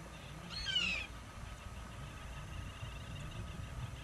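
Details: A single cocoi heron, Chile's largest heron, gives one harsh, raspy, slightly falling squawk about half a second long over a steady low rumble; recorded 23 June 2008 at Cerrillos de Tamaya, Coquimbo Region, Chile.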